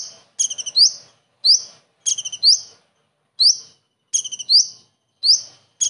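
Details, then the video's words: A common iora imitates a kingfisher: high chattering notes in quick succession, then a bright rising whistle, the pattern returning after short gaps, with some isolated whistles between phrases. "KONIN ISTIMEWA ISIAN TENGKEK UDANG"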